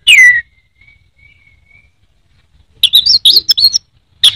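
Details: Caged orange-headed thrush from Indonesia giving a loud downslurred whistle, a long quiet pause, then a quick cluster of high chirps and a final sharp note.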